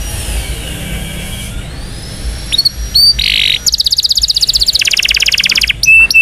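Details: Indonesian canary song intended to train young canaries: a faint gliding tone at first, then sharp notes, a buzzy roll, and a long, fast, even trill of rapid pulses ending in quick slurs.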